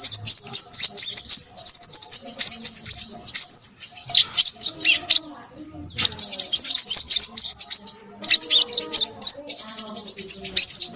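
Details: Boisterous song of a crimson sunbird: fast, high-pitched twittering pours on almost without pause, breaking once for a short gap midway before resuming just as frantic and sibilant.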